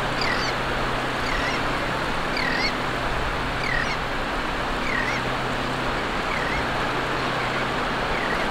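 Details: A tern in Florida gives short, harsh, slurred calls, repeated roughly every second, over a steady wash of shallow waves and a low engine-like hum.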